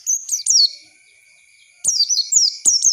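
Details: Oriental white-eye lure song for young birds: two short flurries of high, sweet, descending twitters around a second-long silence, with a thin constant background tone.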